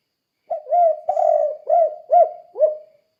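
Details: Tekukur, a spotted dove, giving its "kuk 2" cooing used to get other doves singing: one phrase of five soft mellow coos, a drawn-out rolling note second, fading at the end. No other sounds.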